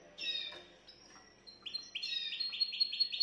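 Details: Canary song played to stimulate a female: a few high chirps, then a quick series of rising, repeated notes, about two or three per second, ending in bright clipped syllables.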